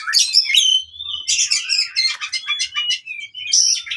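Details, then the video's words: Oriental magpie-robin giving fighting song meant to train birds that no longer sing; dense run of high chirps, rattling notes and short slurred whistles, steady and loud throughout. "KACER TARUNG COCOK UNTUK KACER MACET BUNYI"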